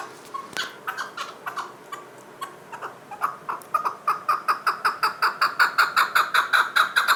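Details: Chukar partridge calling: a run of harsh, clucking chuck notes that start sparse, then speed up and grow louder into a steady, rapid rhythm of nearly three notes per second by the end.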